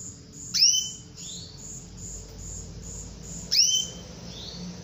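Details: Female canary calling to lure a male into singing actively: two loud, sharp calls about three seconds apart, each a high note sweeping steeply up, with a lower rising tone. A steady train of soft high beeping pulses continues behind.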